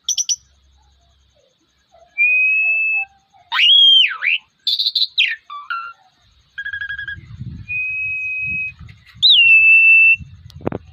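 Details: Male Asian pied starling singing in a fighting mood: loud, pure whistles, some long and level, some swooping, mixed with buzzy and metallic notes, separated by gaps.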